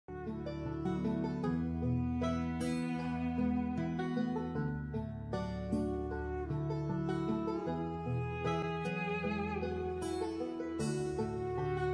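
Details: Plucked string music plays steadily throughout, with no animal voice standing out.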